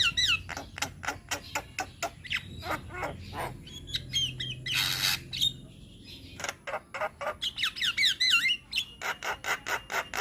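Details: Tutor recording of a Javan myna singing with many varied phrases: sharp chips and repeated notes, wavering whistles, a harsh noisy burst in the middle, then a rapid run of chattering notes ending in looping whistles.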